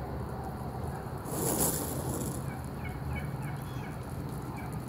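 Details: Wild turkeys strutting through a parking lot in Traverse City, Michigan. A brief rough burst mid-clip, then faint scattered higher notes, over steady low rumbling background noise.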